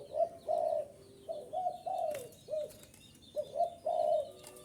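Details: Spotted dove luring call: clear, husky coos in short bursts, some notes sliding downward, with a steady faint hum and a few sharp clicks between phrases.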